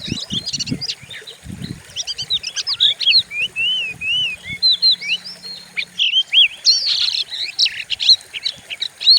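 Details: Fierce Oriental magpie-robin song used as a lure: a few low thuds at the start, then rolling looping whistles and chirps, ending in a fast, busy chatter of mixed notes.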